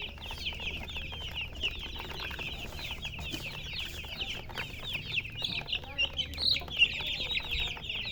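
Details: Chicken chirping: many thin, high peeps tumble over one another in a continuous chatter, growing louder and sharper with a few distinct shrill notes near the end.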